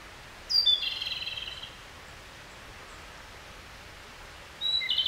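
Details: Japanese robin subsong: a high, thin opening note falling into a rapid, slightly descending trill lasting about a second, then a pause and another phrase starting with a whistled note and rattle, over faint hiss.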